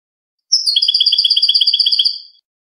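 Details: European goldfinch clean song (cante limpio) from 2020, meant for teaching caged birds: a sharp high note opens a long, very rapid, even trill of some twenty-two tinkling pulses lasting nearly two seconds, fading at the end.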